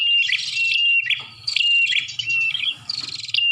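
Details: Bar-winged prinia lure sound: bright, high chirping phrases with sharply falling notes, packed into rapid bursts separated by short pauses, with a faint low hum beneath.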